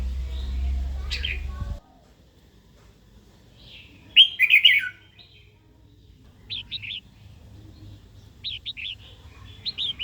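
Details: Female red-whiskered bulbul giving harsh calls used to rouse a wild-caught male to sing and fight; low thumping at the start, then a loud burst of ringing notes followed by short paired chirps repeated.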